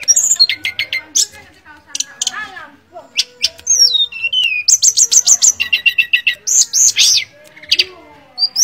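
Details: Busy, varied song of a mangrove blue flycatcher: chips and falling slurs, then a long run of quick repeated notes about three to four per second, ending in high whistled phrases.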